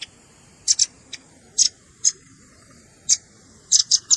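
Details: Red-billed scimitar babbler lure recording mixing adult calls with juvenile calls, meant for trapping birds: sharp, high clipped chips in short clusters, several double notes, separated by silent gaps of up to a second.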